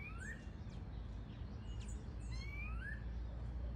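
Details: Variable oriole heard in the wild: two rising whistled glides in quick succession, bright and clear, with scattered high squeaky notes from other birds and a heavy low rumble underneath.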